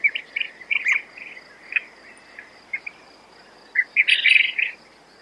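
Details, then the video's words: Rapid, irregular high chirps from quail, one burst after another, with a denser, louder cluster near the end over a thin constant hiss. "Звуки перепілки❇️Quail sounds"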